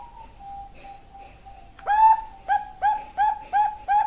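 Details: Zebra dove of the Bangkok type, female calling for a male: a faint sustained tone gives way to six loud, clipped cooing notes delivered rapidly and evenly in the second half.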